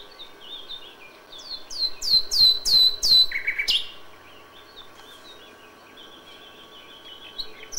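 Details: Dawn nightingale song in May: a sequence of about six loud, swooping high whistles repeated roughly every quarter second, ending in a low buzzy note, followed by quieter soft notes.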